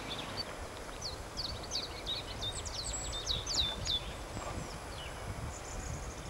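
White wagtail giving a rapid twittering run of high, sharp chirps over steady low rumbling background noise.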